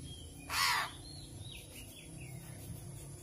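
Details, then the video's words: Hungry crow being hand-fed gives one loud, harsh, raspy begging cry lasting under half a second, then falls quiet over a low steady background hum. "BURUNG GAGAK KELAPARAN"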